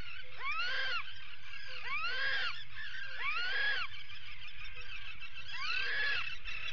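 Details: At a puffin burrow on 19 July 2019, during an attack on a resident puffin, an Atlantic puffin (Fratercula arctica) gives four harsh, nasal calls, each swooping up then down, about 1.5 seconds apart, over low wind rumble.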